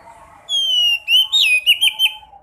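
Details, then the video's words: Sekoci, a caged songbird, in a recording played to prompt other caged birds to sing: a long steady high whistle, then a run of short bending whistled notes, over a faint low steady hum. "Pancing burung sekoci yang males bunyi, pasti sekoci anda gacor dan ngobra"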